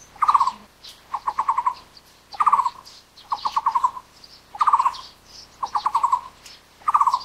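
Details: Hollow trilled call bursts of the Taiwan Barbet, alternating a tight buzzy burst with a looser run of five or six notes, repeating every second or so; faint high bird notes behind.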